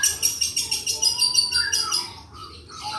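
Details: Mimicking long-tailed shrike from Java: a fast, grating, pulsed chatter is overlaid with a long, wavering whistle. The song then softens into short varied phrases.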